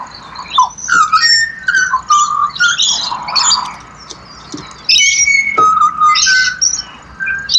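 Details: Pied butcherbird song from Australia: clear, flute-like whistled phrases with gliding notes, rising and falling, mixed with harsher chattering and buzzy notes, several voices overlapping in a lively serenade.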